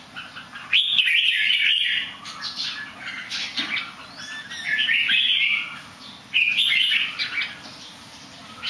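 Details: A bird that sings well but somersaults a little: loud scratchy, warbled phrases around mid-high pitch in three bursts, near 1, 5 and 7 seconds, with quiet gaps between and a steady faint hiss.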